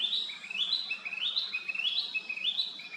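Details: Narcissus flycatcher song made of clear, rising whistled phrases, each stepping from a lower note to a higher one. About six come in quick succession with steady rhythm.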